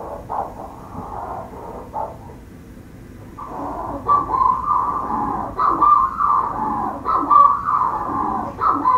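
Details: Manx shearwater calling from its burrow beneath the warden's house on Skomer Island, South Wales. A quiet start gives way after four seconds to harsh, hoarse crowing bursts, rising and falling, repeated in quick ragged runs.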